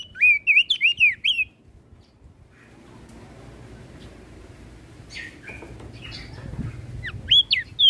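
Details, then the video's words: Crested white-eye from Flores, a songbird in full song meant to provoke other birds: a fast burst of high, wavering whistled notes rising and falling, then a quiet gap with low background hum before a few sharp, high looping whistles return. "Opior Jambul flores Gacor Bikin Emosi Burung Yang Dengar Pasti Langsung Ribut"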